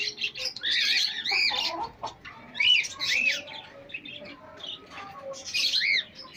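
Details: Pet hens meeting pet chicks: bursts of high, arched peeping notes in quick clusters, loudest near the start and again toward the end, with softer chirps overlapping between them.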